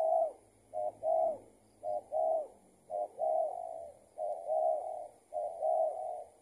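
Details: Spotted dove responding to a decoy as it is trapped, found to be a loose tethered decoy bird; steady low coo phrases, short notes leading into sustained ones, roughly every second, with a light background hum.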